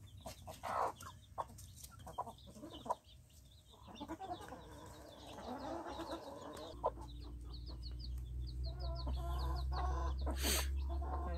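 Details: Hen with her chicks, giving short, low clucks in uneven bursts about two or three per second, with thin high peeping from chicks over a steady low hum that grows louder toward the end.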